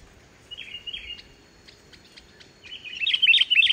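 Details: Sooty-headed bulbul in vigorous song without mimicry, a lure to get other bulbuls singing; two soft warbled notes, a pause, then a loud fast burst of bubbly rising chirps at the end.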